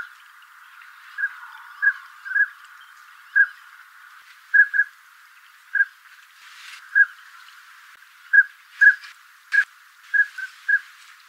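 Northern Pintail giving soft, fluty whistled notes, single or in quick pairs, at an uneven pace of about one a second, with a few brief splashy noises.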